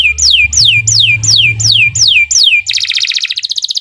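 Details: Canary song meant as a training recording for other birds: a run of loud descending whistled sweeps repeated about three times a second, then a fast buzzy trill, over a faint low hum.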